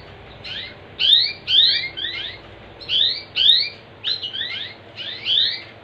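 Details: Canary song meant to get other canaries singing: rapid high whistled upsweeps in quick clusters, roughly two per second within phrases, over a faint steady hum.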